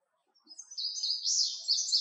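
An Indigo Bunting sings a brief, high, sweet run of buzzy, slurred notes that rise and fall over about a second and a half in a quiet setting.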